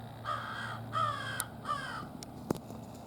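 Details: American crow family, wild birds calling while gathered together in a friendly greeting; three drawn-out harsh caws with a rich harmonic stack, spaced about a second apart, over a low steady hum and a few sharp clicks.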